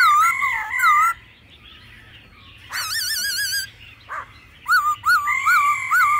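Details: Laughingthrush song in a mature forest voice style with female calls, used to stimulate birds. Looping wavering whistles open, then a harsh wavering buzzy phrase after a pause, and a final series of bright rolling, undulating whistled notes.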